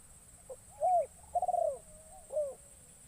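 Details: A young trained spotted dove used as a decoy, on its first outing in a forest, gives a short coo, a rapid pulsed rolling phrase, then a final dipping coo.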